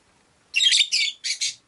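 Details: Rosy-faced lovebirds, five kept in a cage by a window, give four harsh, buzzy chirps in two quick pairs. The high, raspy bursts are loud against an otherwise quiet room.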